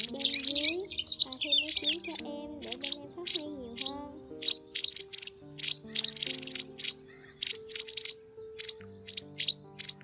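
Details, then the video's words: White wagtail lure calls for netting migrating birds: a busy burst of high, twittering chirps at first, then spaced sharp single chirps roughly every half second, with sustained low music notes in the background. "Tiếng Chìa Vôi Trắng"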